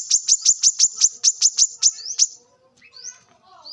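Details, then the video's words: Brown-throated sunbird in the wild, recorded to lure and train birds. A rapid series of a dozen sharp, high ticking notes ends in short rising whistles and then soft, scattered twitters. "kolibri kelapa | manggar | wiceh | pancingan korlap dengan suara asli alam liar gacor"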